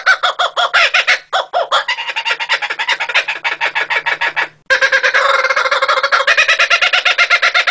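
A kookaburra laughs loudly, with rapid, harsh, cackling notes repeated several times a second in a rolling chorus. A brief break comes midway before the laughing resumes.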